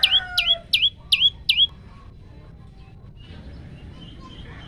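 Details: Five quick, high, down-and-up swooping notes from a male olive-backed tailorbird, caught on a Samsung phone, followed by a faint, quiet stretch with only distant soft background sound.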